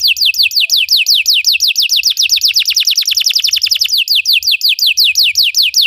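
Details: Belgian canary singing for canary training: sweet descending whistles repeated quickly, speeding into a tight rolling trill midway, then slowing back to separate slurred notes.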